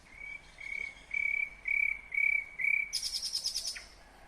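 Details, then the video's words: Nightingale singing in Kyrgyzstan, 2020: six level, slightly buzzy whistled notes repeated about every half second, followed by a sudden harsh, high rattling trill, over a steady hiss of background noise. "Пение соловья / Chill out Nightingale Singing / Булбул уну / Булбул овози"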